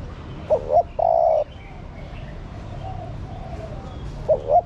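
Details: A female spotted dove gives a call meant to excite a male: two short rising hoots, then a sustained low coo. The next phrase starts near the end over quiet background noise.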